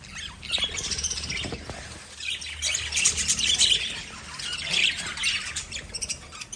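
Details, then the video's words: Lovebirds produce steady harsh squawking chirps, high and grating, in overlapping waves throughout with a faint low hum. "Love Birds Sound Relaxation"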